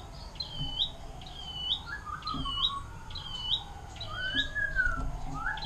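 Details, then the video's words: Canary song of the long 'air mancuran' style, meant to teach other songbirds long phrases: repeated high upswept chirps over a lower, gliding whistled line. "KENARI DENGAN LAGU AIR MANCURAN PANJANG"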